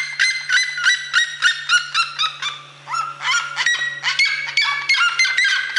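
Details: Red-legged seriema giving a loud run of harsh, yelping harmonic notes, about three per second, with a brief dip near the middle before the series picks up again. A steady low hum sits underneath.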